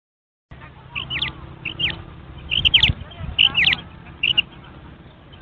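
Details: Female common quail calling: short high double and triple notes, sharply rising and falling, given in loose bursts about every half second to second over a low steady hum.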